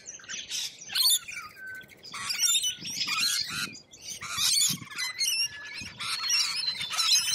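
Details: Wild lorikeets in Australia chattering together: dense, shrill screeches and squawks overlapping in loud bursts, with brief lulls between waves of calling.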